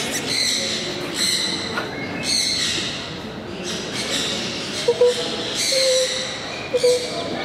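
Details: A captive, hand-raised western screech owl in breeding season, courting a staff member's hand, gives raspy, squawking bursts about once a second, then a few short, low, hollow hoots near the end, in an echoing indoor room.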